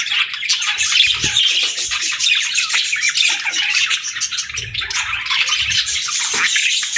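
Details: Budgerigars chattering in a dense, unbroken wash of scratchy high chirps and warbles, many notes overlapping throughout.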